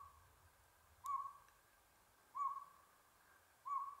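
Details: At Buckhorn Campground in the San Gabriel Mountains, Los Angeles, on 7 April 2022, a Northern pygmy owl repeats a short mellow toot three times, about 1.3 seconds apart, over a quiet backdrop with one faint click.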